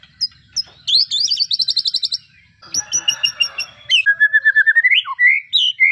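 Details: White-rumped shama delivering fast repeated high notes in rattling series, then a lower run of even, rapidly repeated whistles.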